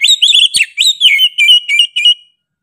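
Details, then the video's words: Oriental magpie-robin (kacer) in energetic song, a run of loud whistled notes, slurred up and down, delivered in quick bursts about every quarter second, then falling silent; no other sounds. "KACER GACOR NGOTOT PEDES SUARA NYA GA DA AMPOON"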